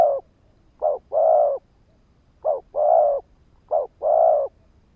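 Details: Spotted dove kept as a lure bird, calling to trigger wild males; three deep phrases of a clipped coo followed by a fuller sustained coo, roughly 1.5 seconds apart, in clean silence.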